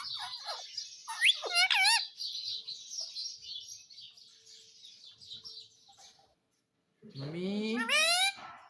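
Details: Indian ringneck parrot producing harsh, wavering squawks over steady high chatter, then after a short gap a long rising, grating screech.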